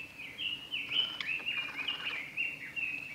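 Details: Male Japanese robin (Larvivora akahige) singing at Yanagisawa Pass on 25 April 2021: a loud, high, ringing trill of quick rattling notes, running almost without pause, over faint background hiss.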